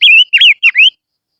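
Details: Close, loud lure song from a barbet: four clear high whistled notes in about one second, bending down and sweeping up again.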